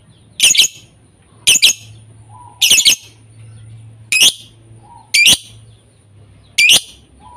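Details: Lovebird lure sound meant to spur quiet lovebirds into nonstop singing: six shrill, harsh, high chirps, often doubled, repeated roughly once a second over a faint low hum.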